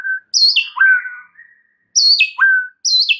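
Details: Provocative shama lure song: bright whistled phrases, each sliding down in three quick steps from a high note to a lower sustained whistle, repeated three times with brief pauses between.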